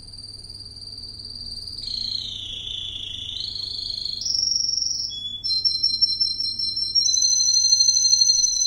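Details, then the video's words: Male Russian green canary song over a low steady hum: a smooth whistled glide sweeping down and back up, followed by fast, pulsing high trills. "Green Canary perfect song"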